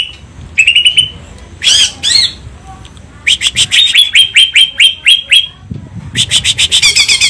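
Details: Greater green leafbird, a lively singing bird with cililin-style song content, giving bright whistled phrases near 3–4k, a fast run of evenly repeated sharp notes, then rapid buzzy trills; steady low hum underneath.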